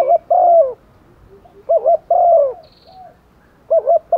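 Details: Lure female spotted dove gives rainy-season calls to draw in males: a paired quick double coo leading into a long, slightly quavering coo. The phrase repeats at about two-second intervals in quiet surroundings, with one faint high buzz.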